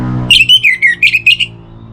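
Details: Orange-headed thrush song played as a lure to make birds sing, morning and evening: low hum gives way to a brisk run of seven bright whistled notes, some slurred downward, some short and clipped.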